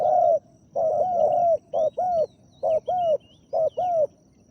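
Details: Deep 'ku-ang' cooing of a spotted dove used in Thai decoy luring of a wild dove: a long opening coo, then paired low, mellow notes repeated about once a second, with distant high chirps of other birds.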